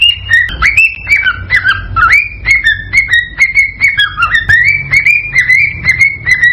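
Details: Cockatiel mating call played to stimulate breeding and egg laying: a series of short whistled notes, each rising sharply then levelling off, repeated about twice a second with slight pitch shifts, over a low steady hum.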